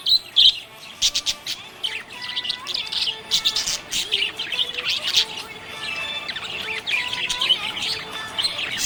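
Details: Budgerigar chirping happily, a dense run of bright, quick chirps and short warbled notes, with louder squeaky bursts near the start, over a faint, steady tonal hum in the background.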